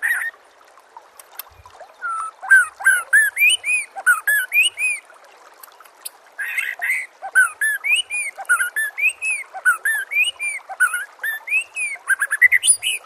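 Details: White-rumped shama song used to train caged birds: clear whistled upslurred and arched notes mixed with sharp high clicks, delivered in quick varied phrases several per second.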